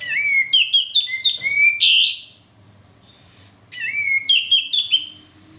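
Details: Male sooty-headed bulbul singing as a lure recording: fast runs of bright whistled notes, each rising sharply then stepping across two or three pitches, grouped in bursts with a noisy rasp, a pause, then another burst.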